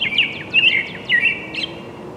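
American Robin singing quick, clear whistled phrases of two or three slurred notes, rising and falling in a carolling rhythm, over faint background hiss.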